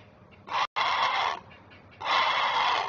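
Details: Great blue heron parent on alert while protecting its young at a Chesapeake nest, May 19, 2023, recorded by a nest camera. A short rough squawk is followed after a pause by a longer hoarse, noisy call.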